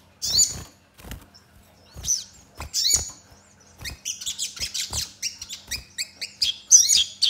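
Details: Crimson sunbird in full song, with sparrow-like phrases mixed into sharp, rapid volleys, used to lure other sunbirds into singing: piercing high whistles and trills come in bursts that grow denser toward the end, with a few low knocks.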